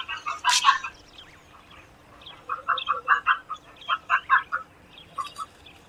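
An Egyptian vulture gives a harsh, noisy burst, then a run of about ten short, nasal mewing notes, roughly three per second, over a faint steady hum.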